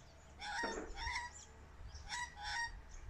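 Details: Australian magpie giving rich, harmonic warbling notes in two short bursts separated by a pause, each burst mixing a fluty tone with rougher, throaty chatter over a quiet, low background rumble.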